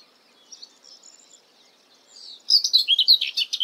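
A common whitethroat sings. Faint high notes come first, then a brisk, scratchy, chattering warble of rapid rough phrases lasting about a second.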